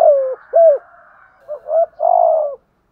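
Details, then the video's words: Spotted dove used as a decoy, cooing in the 'gù thúc' style: a long coo and an arched note, a quiet murmur, then two curved notes and a final sustained, slowly falling coo. "chim cu mồi gù thúc bổi nghe là chơi ngay/ tiếng chim cu gáy mồi giọng bài bản"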